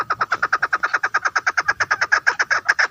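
A female chukar partridge gives a rapid, steady run of harsh chuk notes, about eight per second, each dropping slightly in pitch.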